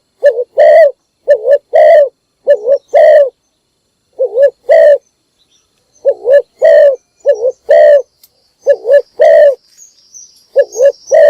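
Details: Morning calling of a spotted dove to draw in other birds, steady loud cooing phrases: paired quick wavering notes then a drawn-out accented coo, repeated many times with brief pauses, faint high chirping and background hiss near the end.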